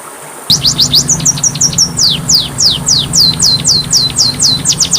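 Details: Kacer, the Oriental magpie-robin, on a masteran training track: a burst of high whistles starts after a short pause, first flat level notes, then evenly spaced downward sweeps about four per second, over a low hum.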